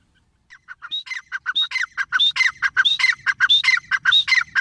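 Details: Grey francolin, the teetar, building from soft notes into a loud rhythmic call of harsh syllables with higher ringing upslurred notes, repeated several times.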